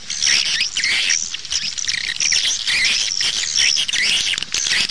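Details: Swiftlet calls played back to lure birds to nest houses, an outdoor luring sound: dense overlapping high chirps and buzzy twitters, continuous with short whistled notes recurring every second or so.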